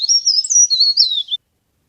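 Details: Short burst of high, sweet leaf warbler twittering, a lure recording for trapping, with rapid up-and-down slurred notes lasting just over a second.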